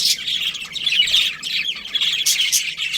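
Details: Budgies chirping in breeding season: a steady stream of thin, high twittering and squeaky notes from several birds, with a few sharper bursts toward the end.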